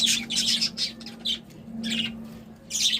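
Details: Budgerigars described as happy, chirping in quick bright bursts of high twittering notes, with pauses between clusters and a steady low electrical hum underneath.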